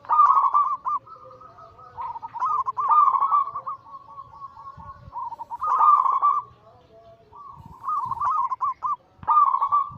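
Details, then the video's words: Zebra dove anggungan song of local, Bangkok-cross and cemani katuranggan silver birds, played as a lure and as therapy for silent birds. Soft trilled coos repeat in bursts about every three seconds over a lower steady hum. "Masteran Pancingan harian burung perkutut Anggungan paling ampuh langsung emosi gacor"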